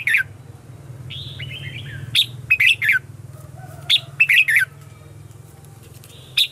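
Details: Morning song of a red-whiskered bulbul used to lure wild birds: several bursts of loud, clipped, warbled notes with a faint whistled background bird and a low steady hum.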